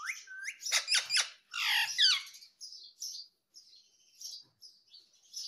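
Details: Talking parrot, presented as saying "mummy" and "papa", opens with several loud, harsh, raspy squawk bursts, then trails into softer high chirps and twitters with brief pauses.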